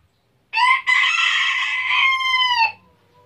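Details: Village rooster in Tabulahan, Mamasa regency, Indonesia, giving a full crow of about two seconds. A short opening note breaks off, then a long, loud, rich tone sustains and dips slightly before stopping abruptly.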